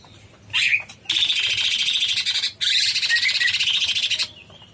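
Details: Cucak cungkok, a bulbul, singing energetically in long bursts; dense, rapid chattering phrases lasting one to two seconds each, with a short whistled note before them.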